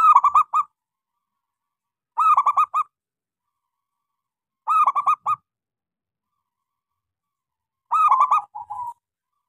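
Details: Local zebra dove with a small voice, singing readily, used to stimulate silent doves: loud, rhythmic bursts of rolling, stuttering coos about every two and a half seconds, the last ending in softer notes.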